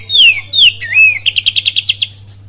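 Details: Kapas tembak cililin style singing from an oriental magpie-robin: two slurred descending whistles and a wavering note, then a brisk run of roughly nine short repeated notes, over a low continuous hum.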